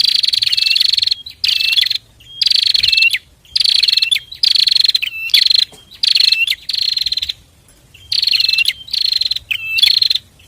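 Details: A pair of bar-winged prinias singing, suited for training other birds and prompting silent ones: loud, rapid bursts of sharp buzzy chirps, each burst about half a second, repeated roughly every second with brief pauses.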